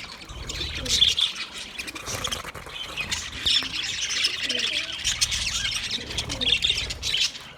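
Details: Several budgies keep up steady high-pitched chatter for a lonely pet bird. Warbled twitters swell and fade throughout, with faint low rumbles underneath.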